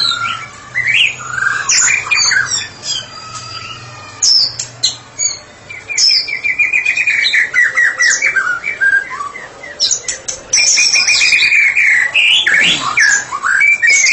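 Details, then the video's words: Long ngeplong bout from a white-rumped shama used as a therapy specialist: fluty whistles, then rapid trilled rattles and fast repeated chattering runs, loud and varied, with a faint low hum. "Murai batu spesialis terapi sedang ngeplong"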